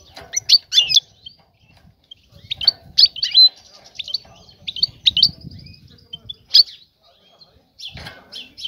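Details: European goldfinch female, ready to breed, chattering to lure a male; bright tinkling twitters and quick high chirps arrive in irregular bursts with brief silent gaps and faint low-pitched background sounds.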